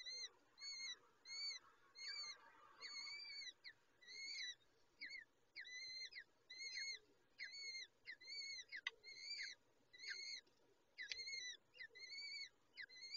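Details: Peregrine falcon chicks during a feeding by the adult female: rapid, thin, arched squealing notes, many overlapping, over a steady background hiss and low hum, with one sharp click.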